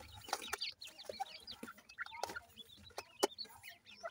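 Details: Grey francolin chicks at feeding make soft, high whistled peeps and chirps, a few lower notes mixed in, with occasional sharp clicks and rustles.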